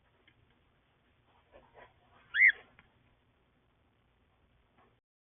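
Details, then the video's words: Yellow and grey pet cockatiels: a single loud, arched chirp that rises then falls, preceded by faint soft scratching and rustling sounds. "CUTE YELLOW AND GREY COCKATIELS!"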